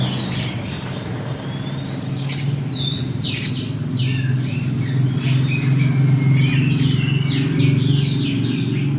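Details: Rapid, scratchy high chirps from a mountain spiderhunter, several notes per second in loose clusters, over a strong continuous low droning hum.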